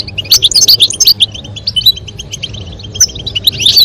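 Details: Female European goldfinch calling while the male sings to encourage mating; rapid tinkling twitter phrases in quick succession, pausing midway before resuming with bright chirps.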